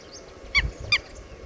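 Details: Red-wattled lapwing, recorded with its chicks, giving two sharp, ringing notes about a third of a second apart, against low rumbling background noise and a faint high whine.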